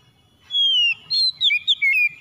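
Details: White-rumped shama song for stimulating a stressed bird to sing; one long steady whistle slurring downward, then a pause and a rapid chain of short rising and falling whistled notes.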